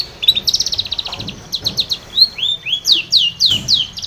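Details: Long-tailed shrike singing busily as a lure for a silent caged shrike: a fast buzzy trill, then varied whistled slurs and loud descending squeaky notes, several per second.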